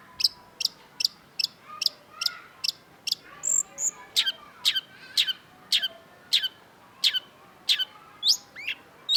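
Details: Energetic cendet, the Long-tailed shrike, delivers a long run of sharp, high, evenly spaced clicking notes about every half second, broken by a brief squeaky double note and ending in quick twisting chirps.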